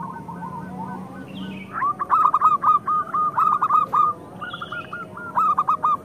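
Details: Local zebra dove song meant to spur other doves to sing. Stuttering runs of clipped coo notes repeat in quick phrases, with fainter higher calls above and steady low background noise.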